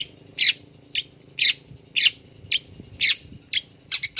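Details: Caged long-tailed shrike singing after its cage cover is opened: harsh, squawky high notes repeated about once a second, each short burst followed by a fainter chirp, with a low steady hum beneath.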